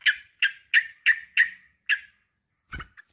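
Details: Calling to a rival, a male sooty-headed bulbul gives six evenly spaced scratchy notes, followed after a gap by a dull thud.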